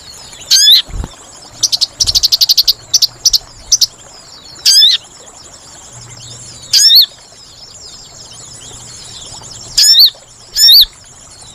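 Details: Lure call of the sooty-headed bulbul, played for trapping: high chirped notes in clusters and a fast stuttering burst, mixed with sharp falling whistles that recur every second or two, over a steady faint hiss.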